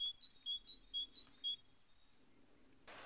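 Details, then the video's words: A great tit sings a bright, ringing two-note phrase, repeated quickly about three times in a second and a half, ending with a short burst of rustling noise. "какая птица так поёт? Большая синица"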